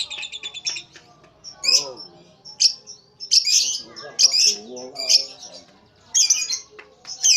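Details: Lovebird short ngekek chatter: a quick run of ticking notes, then harsh high bursts about once a second with thin squeaky notes between them.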